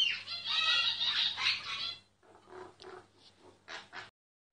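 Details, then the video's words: Myna singing, recorded quietly without moving so the bird would keep singing; a loud burst of harsh, chattering, richly layered notes for two seconds, then softer varied squeaks and clicks, with a low steady hum underneath. "Mynah singing"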